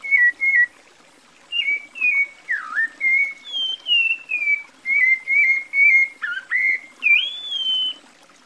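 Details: Cocoa thrush in Brazil giving a run of rich, whistled notes, mostly level or gently falling, with one dipping slur and a final rising whistle, over faint background hiss.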